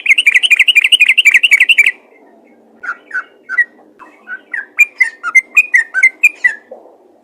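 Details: Calling to other bulbuls, a yellow-vented bulbul opens with a fast, even, bubbling trill of about two seconds, then after a brief gap gives a string of separate liquid, up-and-down whistled notes.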